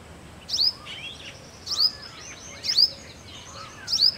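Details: Male purple sunbird (Cinnyris asiaticus) calling: four sharp, high, thin metallic notes about once every second or so, with softer chirps from other birds in between.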